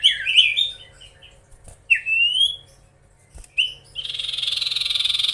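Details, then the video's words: Magpie-robin song played to provoke rivals: jumbled whistled chirps, a long rising whistle, a short swoop, then a fast continuous pulsing buzzy trill. "SIRTU/CIPOH GACOR BIKIN EMOSI SEMUA LAWAN!"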